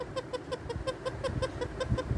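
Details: A pet talking rose-ringed parakeet singing a fast run of short, ringing notes, about five a second, over a low household rumble.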